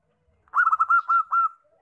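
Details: Zebra dove delivering one short phrase: a rapid run of clipped coos followed by two longer, smooth, level notes, clean and close.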